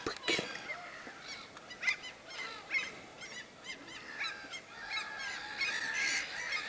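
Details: Common ravens near a bear-watching hide in the Suomussalmi wilderness, Finland, recorded over an evening and night: many overlapping arched, hoarse calls, some sharp and loud, forming a busy chorus throughout.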